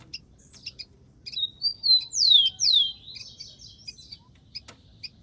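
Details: Wild rufous-collared sparrow singing: a few high chips, then two loud, sharply descending slurred whistles and a fast, thin trill, with scattered high chirps before and after and a low background rumble.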